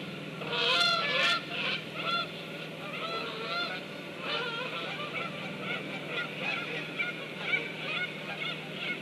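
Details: A flock of geese passing overhead on 8 September 2013, giving rapid overlapping honks that fade and swell, with a constant low background drone throughout.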